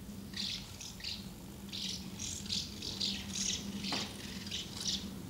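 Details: Numerous house martins at two nests, with feeding and fledglings flying out, recorded 24 August 2012; lively overlapping rattling chirps in rapid series, a faint low hum underneath.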